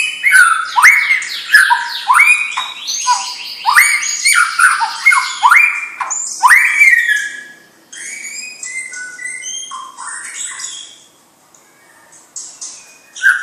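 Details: Champion-lineage young white-rumped shama delivering a rich, fast song. Rising whistles and buzzy chatter come about twice per second, then give way to softer, varied twittering and a brief pause before one final loud note.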